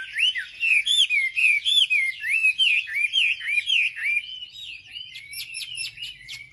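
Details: Hill prinia song meant to stir up rival birds: looping, wavering whistles repeated about three to four times a second, then softer higher ticking notes near the end.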